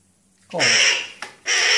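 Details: Hooded crow chick fallen from the nest, hungry, being hand-fed by people before release; two loud harsh raspy calls, the first long and broad, the second starting after a short gap, with a person speaking nearby.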